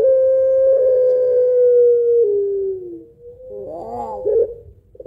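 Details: A puter pelung dove lure song, with a prolonged steady hoot slowly sinking in pitch, a fading tail, then a short jumbled trill and a clipped note.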